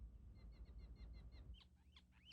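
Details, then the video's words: Killdeer, a North American plover named for its call, gives a quick run of about eight short, high, clipped notes, then several sharper rising cries, over a low background rumble. "our only Plover with two black neck rings is the kill deer named for its call"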